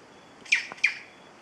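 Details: A near-endemic Beautiful Jay in Chocó wet forest at Carmen de Atrato, Western Andes, Colombia, gives two short, harsh, rasping notes about a third of a second apart while preening, set against a faint steady high hiss.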